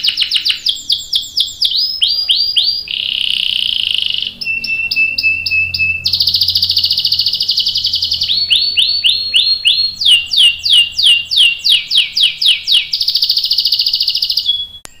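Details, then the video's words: Canary with long rolling song used as a training model for young and adult canaries: varied phrases of looping whistles, buzzy sustained rolls, clipped tinny trills and fast rattles, changing every second or two. "KENARI GACOR NGEROL PANJANG bagus buat pancingan dan masteran kenari paud dan dewasa"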